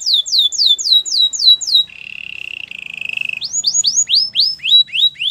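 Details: Singing Belgian canary: a run of evenly spaced, falling whistled notes, then a lower, rattling buzzy trill that swells, followed by further quick descending slurs repeated about four times a second.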